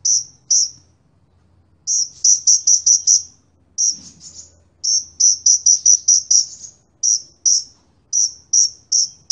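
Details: Sunbird in lively song: sharp, very high chipping notes, given singly or in quick runs of four to six with short pauses between bursts, against a quiet background.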